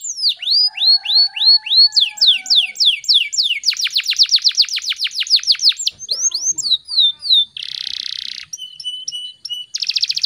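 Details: Gacor canary in fast, packed speed rapat song for tutoring: looping sweeping notes, a dense buzzy roll, clear whistled notes, then short harsh buzzing bursts and a final rapid trill.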